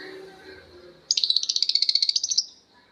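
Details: Lovebird ngekek: after a quiet lead-in, a fast rattling trill of about fifteen shrill, evenly spaced notes runs for over a second and then stops.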